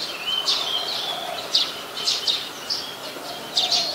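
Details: Brown-throated sunbird in Ubon Ratchathani, Thailand, on 13 January 2021, recorded with a Nikon P1000: scattered sharp, high chips and short twittering notes in uneven bursts, with faint lower tones and a rural background.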